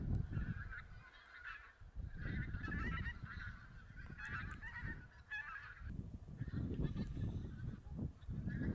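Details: Geese counted in Silesia in November 2016, a flock possibly mixing Barnacle, White-fronted, Greylag and Bean Geese; bursts of clamouring honks rise and fall in waves, partly masked by heavy low wind buffeting.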